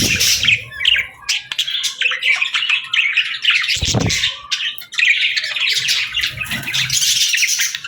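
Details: Budgerigars chirping together at evening feeding time with seeds and millet, a dense run of bright warbles and squawky notes, briefly broken by a low thud near the middle.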